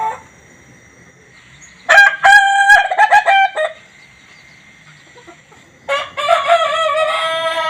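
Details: Laughing chicken (ayam ketawa) rooster gives a choppy, stuttering crow broken into quick cackling syllables, then starts a second crow, with a thin steady whine underneath.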